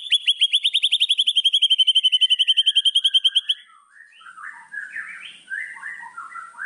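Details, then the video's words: White-rumped shama song used as a tutor recording to provoke rival birds: a fast, even high trill of rapid repeated notes for about three seconds, then a softer, lower run of varied chattering and warbled notes. "MASTERAN MURAI BATU. AMPUH PANCING EMOSI LAWAN"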